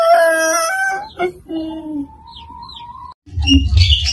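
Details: Rooster in a yard giving the tail of a crow, a sustained harmonic note of about a second, followed by a long thin level tone and then lower clucking and noise.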